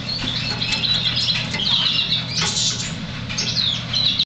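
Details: African yellow canary (Serinus flaviventris) in a rapid, continuous high warble of twittering and trilled notes, louder in the middle, over a constant low hum in the background.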